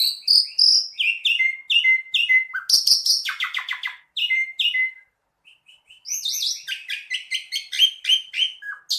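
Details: Asian pied starling in chatty song: repeated stepped whistles, a clattering burst of clicks, a short quiet gap, then a rapid jumble of high chirps and slurred notes.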